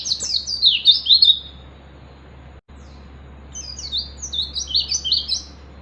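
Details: Oriental white-eye from the wild calling out for a rival, meant to stir other birds into full song; a fast run of high warbled chirps, a quiet gap, then another quick twittering burst.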